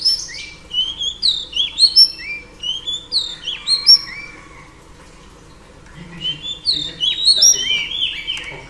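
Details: Female Oriental Magpie Robin, singing to stimulate males, gives two bursts of bright whistled and slurred notes in quick succession, separated by a few seconds of near silence.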